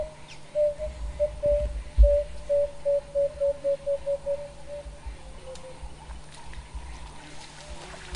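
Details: An emerald-spotted wood dove gives its mournful call, about a dozen soft, hollow coos that quicken and fade away, over a low rumble, near a pan where wild dogs drink after their midday siesta before the hunt.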